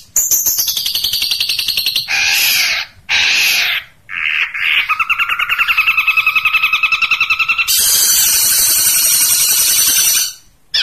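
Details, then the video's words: Long-tailed shrike with 'tembakan unik' shots: continuous loud, buzzy rattles and harsh bursts, a long, steady, vibrating churr through the middle, then a shrill, high rasping stretch. "Masteran Cendet Tembakan Unik"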